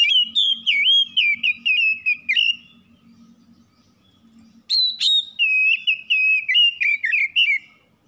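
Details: Varied whistling from a home-kept kacer, the oriental magpie-robin, offered as a quick singing lure: a rapid string of wavering whistles, a two-second lull with a faint low hum, then more high whistles and sharp notes.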